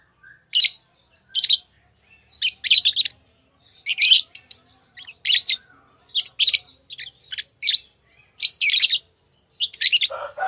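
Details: Lovebirds chirping: short, shrill, high bursts of scratchy chirps, often in quick clusters of two or three, repeated roughly every half second to a second throughout, with near silence between and no other clear sounds.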